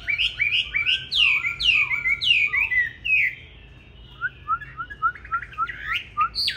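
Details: Training song from a green-bean-eyed Chinese hwamei, a fighting song for teaching smooth singing: bursts of fast descending slurred whistles, a quiet gap, then soft short upslurred notes in quick series and a sharp final note.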